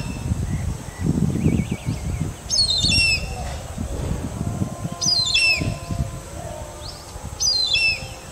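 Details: Indian grey hornbill from India giving three high, squealing calls, each a quick cluster of sharply descending notes, spaced about two and a half seconds apart over low rumbling background noise.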